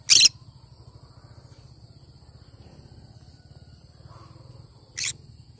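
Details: Cinnamon green-cheeked conure uttering two short, piercing, harsh screeches about five seconds apart, with quiet between them.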